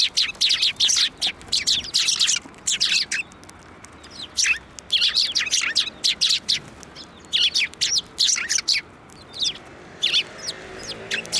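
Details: Group of sparrows being hand-fed at a Tenmangu shrine, 15 March 2024; busy, overlapping high chirping almost without pause, loud and bright throughout.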